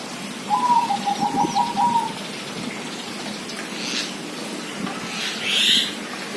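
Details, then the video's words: A single rapid rolling phrase of short cooing notes from a zebra dove, lasting about one and a half seconds, followed by quiet with soft background noise and a brief rustle. "suara perkutut"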